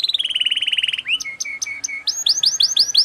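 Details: Canary in 'cengkok speed rapat' style song: a fast descending trill of dense notes, then a row of clear whistled pips, ending with rapid upward-sweeping chirps repeated about five times a second.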